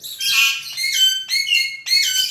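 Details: Pet Alexandrine parakeets indoors at night, repeatedly calling while waiting to be fed tomato; a run of four harsh, rasping squawks, each roughly half a second long, in steady succession.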